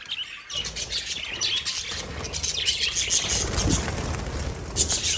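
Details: Rapid lovebird chirping, a fast unbroken twitter of thin, high notes starting after half a second, over a constant low background rumble.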